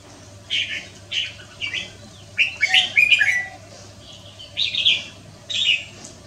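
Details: Red-whiskered bulbul in the afternoon of Wednesday, 6 December 2023, singing short bubbly whistled phrases about every half second to second, with a louder rolling run in the middle, over a soft steady hum.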